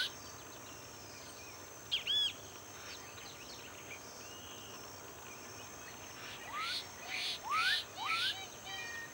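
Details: Black-capped donacobius heard through steady hissing background noise: one looping whistled note early on, then a cluster of bright rising whistles and upslurs towards the end.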